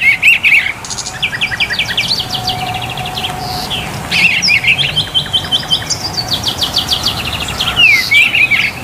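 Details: Male Oriental Magpie-Robin (kacer dapur) at a bird market kiosk, Pasar Burung Pramuka, singing a lively, varied run of sweet whistles, rapid trills and sharp chattering notes, with other caged birds chirping and faint voices behind.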